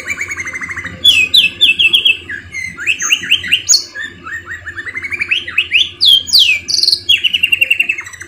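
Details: Domestic canary delivering a cengkok mewah tutor song: a continuous stream of rapid trills, swept whistles and rolling sequences, shifting between high and middle pitches with barely any pause over eight seconds.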